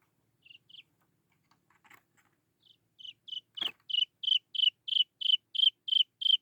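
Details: Young Chinese francolin chick calling to lure its mother: a few soft high peeps, then a steady run of loud, short, high whistled notes with a downward flick, about three per second, after a sharp knock.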